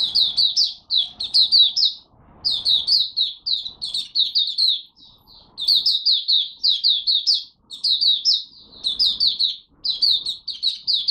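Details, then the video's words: Oriental white-eye from Malaysia, a kept songbird, warming up in the morning. It delivers long runs of sharp, high, sliding tweets in quick succession, broken by brief gaps. The background is quiet. "Malaysian Mata Puteh Buka Sing Poseidon 1st warm up for the day"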